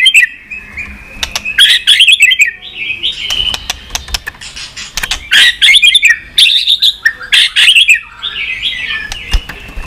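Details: Singing white-rumped shama, played to stimulate pet shamas: varied loud fluty whistles mixed with rapid chattering notes and sharp tacking clicks, phrases repeated in quick succession.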